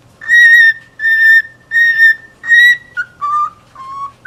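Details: Four long level whistles from a cockatiel at an even pace, followed by quicker lower notes that dip and rise again.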